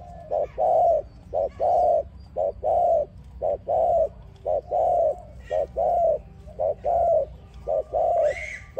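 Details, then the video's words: Dove singing to lure other doves into a trap: a steady series of low, hollow coos, a short note followed by a longer one, repeating about once a second. "Beloved dove singing sound to trap another dove"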